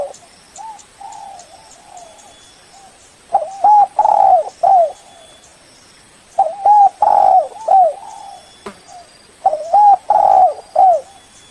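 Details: Spotted dove lure call for attracting a rival bird: after quiet opening coos, three loud phrases arrive about three seconds apart, each made of short looping coos, a long drawn coo and a downward-bending closing note.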